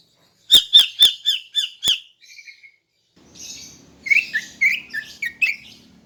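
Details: Female greater green leafbird in the morning, calling to lure males: six loud harsh chirps in quick succession, a short buzzy trill, then a softer run of slurred chattering notes over a faint low hum.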